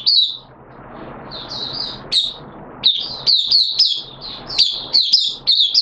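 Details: Caged oriental white-eye starting to sing on 13 September 2022, the second day of a monthly deworming treatment: high, thin chirping phrases in quick bursts, sparse at first then rapidly repeated warbled notes, over faint low background hum.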